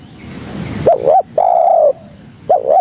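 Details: Spotted dove cooing, used as a lure call to attract other doves: a two-part hooked coo, a longer level coo, then another hooked coo, with a steady faint high electronic tone throughout.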